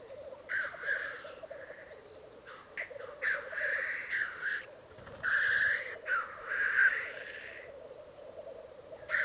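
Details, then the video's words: Displaying black grouse at their lek in the Alps of Piedmont, Italy. Loud, explosive hissing sneezes come in clusters over an unbroken, low, bubbling murmur. "Parate dei Galli Forcello 2022"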